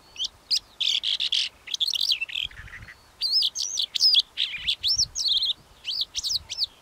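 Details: Calandra lark pouring out a continuous song of rapid high notes, chirps, rising and falling slurs and scratchy trills, closely packed over about seven seconds.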